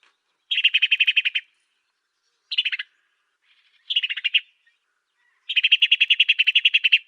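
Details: African sparrow master recording used for training songbirds: bursts of fast, dry chattering notes, each burst about a second long, repeated after short silences, with no background noise.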